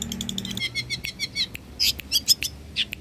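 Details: Long-tailed shrike singing for use as a training master, a mimic of many birds: a jumble of quick buzzy twitters and high chirps, with a few harsh, scratchy bursts near the end.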